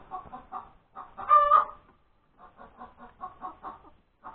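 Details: Laying hen announcing her egg on a Sunday morning, January 31, 2021, at breakfast time. A few quick clucks lead to one loud, raspy squawk, then a quieter patter of rhythmic clucking.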